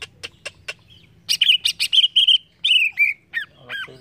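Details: Cucak ijo, or green leafbird, singing to get untrained birds answering. Four evenly spaced ticks, then a sustained rattling whistle trill and descending slurred notes.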